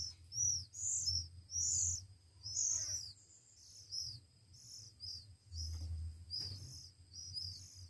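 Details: A loud run of shrill, high-pitched squeaks from one-week-old Oriental magpie-robin chicks during hand-feeding, repeated rapidly and irregularly, over a low hum and occasional soft handling noises.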